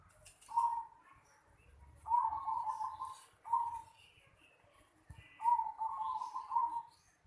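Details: Zebra dove in the yard of a house, uttering a short coo, then a longer rolling series of staccato coo notes, another short one and a final extended trill, with a quiet background.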